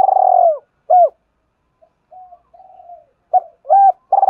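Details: Spotted dove calling to provoke a fast answer in competition: a long pulsed coo and a hooked coo, a soft quiet pause, then hooked coos and another pulsed coo beginning.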